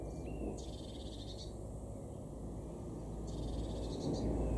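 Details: A Eurasian blue tit in a garden in Weener, East Frisia, northwest Germany, in May 2021 gives two short, high, rapid trilled bursts about three seconds apart over a steady low rumble.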